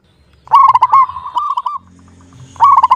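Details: Clear-voiced local zebra dove (perkutut) in full song: one loud, fast, stuttering coo that rolls into a level trill lasting over a second, then a short pause and the start of the next phrase. A low hum sounds in the background.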